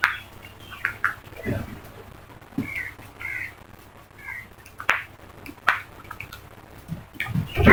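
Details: A crow flock gives scattered, fairly faint, hoarse caws and nasal notes, with sharp clicks and a louder burst of calls at the end.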